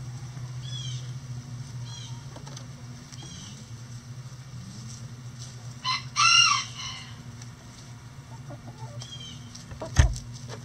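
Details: Hens in a backyard flock make scattered soft, arching clucks, then one loud, ringing harmonic squawk midway. A sharp knock comes near the end, over a steady low background hum.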